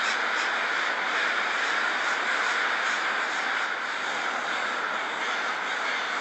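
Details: A dense chorus of many American Crows gathering at their night roost in Bothell, north of Seattle, harsh caws overlapping into a steady, noisy wash with no pauses, like crows talking to each other.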